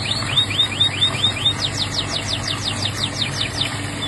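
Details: Canary song in two trill sections: first a rapid series of short high whistled notes, then a slower run of bright downward-sweeping notes repeated about three times a second, with a faint low hum behind.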